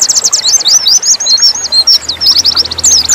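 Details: Dakun-type Oriental white-eye delivering nembak song: dense, high-pitched chattering bursts with quick rising and falling whistles, a rapid rattling trill near the end, and faint low hum underneath.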